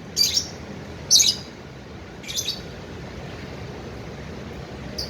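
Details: Tame cockatiel at play, producing two loud, sharp high chirps about a second apart, then a softer chirp and a final faint one after a long quiet gap.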